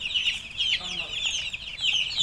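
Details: Many domestic chicks (murgi) calling together: rapid, high, thin cheeps with falling slurs, overlapping in a steady chorus without pause.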